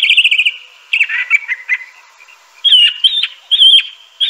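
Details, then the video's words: Song of a Crissal thrasher, a bird of dense undergrowth near streams: a sustained whistled note, then choppy slurred syllables and a run of bright, repeated chirping phrases, the voice clear and unaccompanied. "Crissal Thrasher bird song.(Toxostoma crissale)."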